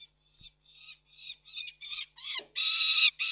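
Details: Peregrine falcons at Reda Koksik on 29 June 2024, three birds present: a series of short rasping notes grows louder and longer, with a brief falling squeal, before breaking into a sustained harsh screech.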